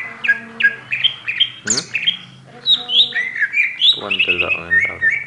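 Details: Oriental magpie-robin in song, giving varied whistled notes, sharp upslurs and scratchy chattering phrases, with a low hum and some background noise.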